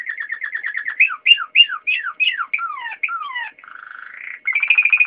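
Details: Singing Waterslager canary: a fast run of repeated notes, a series of sweeping downward-slurred whistles, a low bubbling rattle that rises, then a bright rapid trill.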